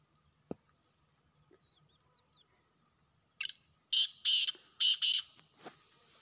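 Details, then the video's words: Wild black francolin calling during a hunt: after near silence and a single click, one loud phrase of five grating, buzzy notes, the last two paired closely, with a few soft ticks afterward. "جنگلی کالے تیتروں کی آوازیں"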